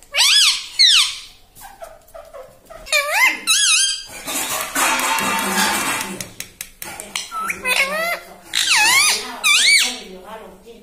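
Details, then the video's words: Ringneck parrot kept as a pet, talking "mummy papa" in a room; bursts of high, arched harmonic syllables, a noisy rasping middle section, then more rapid bent-pitch calls. "ringneck parrot talking mummy papa || मम्मी-पापा बोलता तोता"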